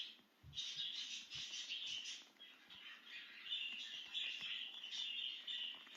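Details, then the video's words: A budgerigar out of its cage, excited, keeps up rapid chattering warble over a steady hiss, with a few soft low thumps early on. "Make Your Budgie Chirp with This Excited Budgie Out of its Cage!"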